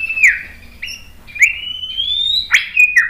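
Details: White-rumped shama singing to provoke other birds: loud clear whistles, a falling note, then a long slowly rising whistle and sharp metallic accents.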